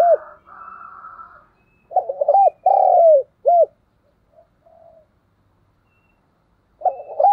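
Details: Spotted dove decoy bird giving soft, hollow coos in a rhythmic phrase of several short notes and one longer drawn-out note, repeated after a pause; the song is played daily to train decoy doves.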